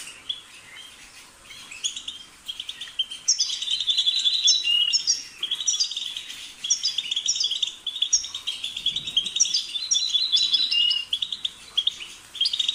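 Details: European goldfinch song builds from quiet chirps into a long, dense run of jingling twitters and buzzy trills, delivered rapidly and unevenly throughout.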